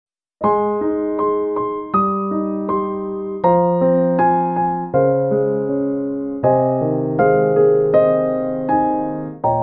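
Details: Electric piano music plays a slow sequence of chords, with no animal sounds.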